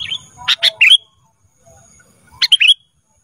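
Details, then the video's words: Training recording of a black-crested bulbul for cage birds: two short bursts of rapid, sharp whistled notes with an upward flick, separated by a pause. "Masteran Kutilang Emas Mudah Gacor"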